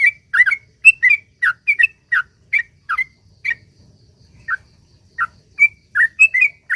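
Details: Sooty-headed bulbul singing to prompt other bulbuls, bright bubbling whistles in quick bursts, thinning to isolated notes with pauses before picking up again at the close.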